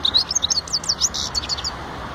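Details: A goldfinch's quick burst of twittering song: sharp, high, liquid chirps and short slurred notes tumble together in a rapid run, with background hum.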